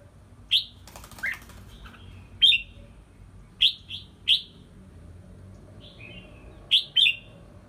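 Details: Red-whiskered bulbul kept in a small bamboo training cage hung high, delivering sharp, bright whistled notes singly or in quick pairs at irregular intervals, with a brief rustling noise near the start.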